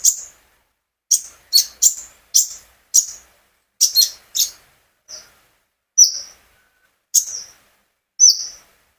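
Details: Captive olive-backed sunbird, sung with natural gaps to prompt other birds: single sharp, high chirps and paired ticks spaced about half a second to a second apart, in a quiet setting.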